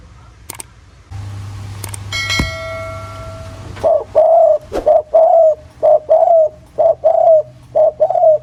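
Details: Spotted dove in the 'giọng thổ' voice, a lure recording: a ringing bell tone and clicks open, then a run of short rounded coos repeated about once a second.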